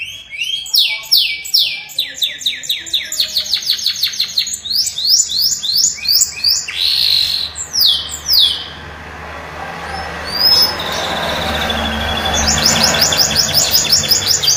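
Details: Atlantic canary (kenari) in long, unusual song: rapid runs of descending chirps repeated at a steady pace, a rolling trill, then a buzzy passage before the rapid chirps resume; faint low hum underneath.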